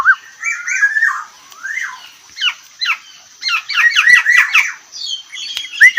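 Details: Black-naped oriole singing in a close, rapid-fire style: a quick string of harsh slurred notes and brief whistles crowded together, with a few louder sharp whistled accents toward the end.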